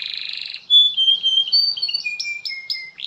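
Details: Canary singing steadily, meant to prompt other canaries to sing: a buzzy opening, then a chain of clear flat whistled notes stepping up and down in pitch, quickly repeated.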